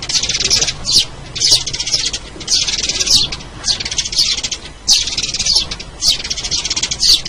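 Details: Lure recording of a sparrow giving fast, scratchy high-pitched chirps in clustered bursts, each lasting under a second, separated by short pauses.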